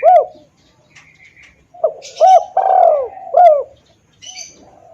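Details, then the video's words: Spotted dove lure call for attracting wild doves, clear and strong: a single short coo, then a phrase of a short note, long gliding-down coo and another short note, with scattered high chirps of other birds. "suara pikat tekukur||suara keras dan jernih"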